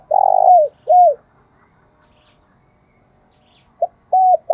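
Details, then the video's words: Spotted dove kept as a decoy, calling. A long hoarse coo and a short curved coo, a pause of nearly three seconds, then a brief note followed by two more coos at a steady mid pitch. "chim cu mồi gáy gáy gọi"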